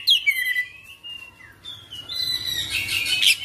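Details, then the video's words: Oriental magpie-robin in full isian, ngerol gacor song: clear descending whistles at the start, then a dense, noisy burst of high chattering notes toward the end. "Kacer Full Isian ngerol gacor dorrr"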